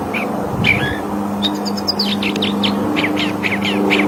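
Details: California thrasher singing: a string of short, varied chirps and slurred notes, mostly high and quick, delivered over a steady low hum and rumbling background noise.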